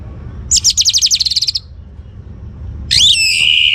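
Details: Singing young orange-headed thrush in northern Bali, used to coax other birds into song: a rapid trill of about a dozen high notes over one second, silence with low hum, then a harsh buzzy note held at the end.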